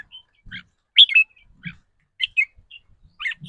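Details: Red-whiskered bulbul in a cage, a bird whose trilled ‘rik’ song varies with its mood. Here it gives scattered bright chirps and short warbled phrases, with soft low thumps between.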